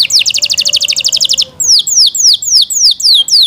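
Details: Pet Yorkshire canary delivering a rapid, steady high trill followed by a slower run of loud, downward-slurred whistled notes, roughly three per second.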